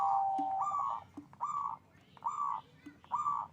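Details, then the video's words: Singing local zebra dove with a big voice, song intended to raise mating drive: a steady whistled coo, then slower, spaced hoarse coo notes, each rising slightly, with faint low clicks between. "Perkutut lokal GACOR suara besar NAIKAN BIRAHI"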